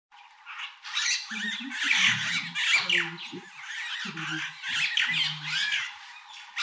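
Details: Meves's starlings bathing in the morning at Mashatu Game Reserve, Botswana, give a continuous chorus of harsh, grating squawks and chatters, overlapping without pause, with low muffled sounds underneath.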